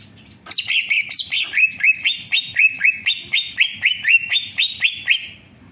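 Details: Greater green leafbird song: it opens with two higher swooping notes, then settles into a brisk chain of clear whistled slurs, about four per second, that keep an even pitch throughout.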